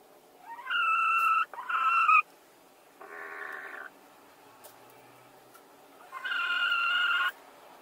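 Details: Hens fighting over the same laying spot at once: long, drawn-out, nasal complaining notes of one to two seconds, a rougher lower note in between, and background hiss throughout.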